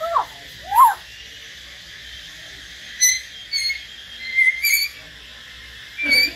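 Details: Common hill myna in a solo song session with a white-rumped shama; two loud rising-falling yelps, then a series of high, thin whistles and clicks, ending in a harsh burst.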